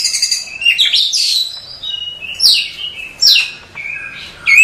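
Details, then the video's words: Female Oriental magpie-robin calling a male at night: varied loud whistled notes, sliding down and up, mixed with buzzy slurred phrases in quick succession. "pancingan kacer di malam hari"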